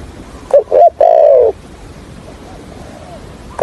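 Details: Spotted dove decoy bird for trapping, stuttering 'thổ' style coo: two quick clipped notes then one long, slightly falling coo, followed by quiet background and the start of another note.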